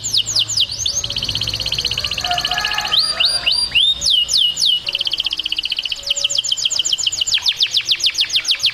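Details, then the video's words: A canary sings a loud, continuous song of rapid repeated whistled trills and sweeping notes, switching between phrases every second or two; presented as a strong song to stimulate canary mating. "أقوى صوت كناري The strongest canary sound"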